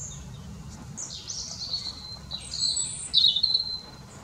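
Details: A European robin in the Raaderwald around New Year sings thin, high, silvery phrases of sliding whistles and trills, growing louder toward the end, over a faint low background hum.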